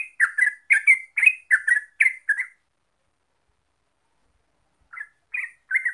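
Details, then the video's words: Trucuk, or Yellow-vented bulbul, opens with a quick burst of gurgling chirped phrases, falls silent for over two seconds, then resumes with a few spaced notes; a lure recording for singing birds. "Pancingan Trucuk Biar Gacor Ropel"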